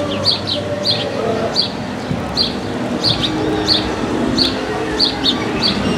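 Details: In Paramirim, Brazil, a city-dwelling house sparrow gives repeated bright chirps, roughly one every half second, some doubled, against constant low town rumble and faint voices.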